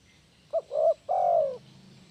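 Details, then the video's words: Spotted dove (tekukur), a lively gacor caller offered as a master call to rouse doves that are reluctant to call: three mellow low coos, a short note, then a fuller one, then a long drawn coo that sinks slightly at the end, over quiet background. "Suara burung tekukur perangsang tekukur males bunyi"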